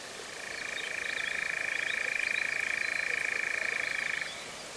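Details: European Nightjar, the first recorded in 2026, in Cefn Ddu forestry, North Wales, UK, taken with a Zoom F3 and clip-on mics in a drop rig: a steady, fast mechanical churr held for about four seconds, then stopping.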